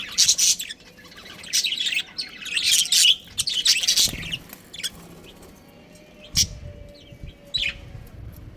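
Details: Caged budgie colony with a breeding pair: a loud burst of busy, twittering chirps and warbles during the first half, then scattered single chirps over a quieter background.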